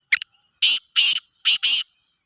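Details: Loud-calling black francolin, known locally as mastbolar, from Khushab: a phrase of harsh, grating, broadband bursts, one short note followed by four longer raspy notes in close pairs, with no other sounds.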